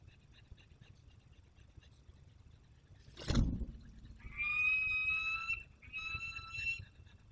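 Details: Peregrine falcon arriving from hunting in Poland's Barycz Valley, 27 August 2022: a sudden loud rushing burst, then two long, steady, reedy wails; faint distant chirps and low background hum throughout.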